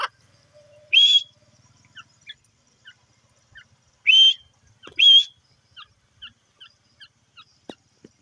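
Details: Grey francolin (teetar) calling in the morning while feeding: three loud, shrill, high notes at about one, four and five seconds. Faint short chirps are scattered between them against a quiet background.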